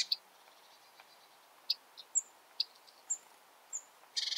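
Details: Bearded reedling calling from dense reed beds: brief, clipped pinging notes spaced irregularly, a few thin high whistles, then a quick buzzy chatter at the end against faint background hiss.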